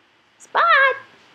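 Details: A three-year-old male pet Indian ringneck parakeet indoors, recorded by a computer camera while chatting with its owner, gives one short, loud, harmonic-rich squawk-like utterance lasting under half a second, with the owner's voice nearby.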